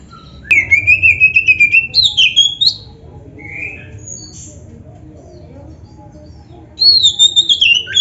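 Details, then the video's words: Caged Oriental magpie-robin in vigorous, mimicry-rich song meant to prompt rival magpie-robins to answer. Quick burst of wavering whistled notes, then a long near-silent pause with a soft faint note, before another bright whistled phrase resumes. "PANCINGAN KACER GACOR ISIAN"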